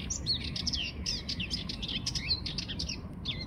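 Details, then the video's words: Sardinian warbler giving a continuous fast, rattling and scratchy song with quick looping whistled twists throughout, set against a constant low background hum. "סבכי שחור ראש מצייץ Curruca melanocephala is tweeting"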